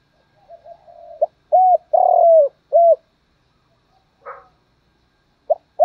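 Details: Spotted dove decoy calling to lure wild doves, male and female calls included: soft low coos, then three loud drawn-out cooing notes in quick succession, a short pause, a faint rougher note, and coos resuming.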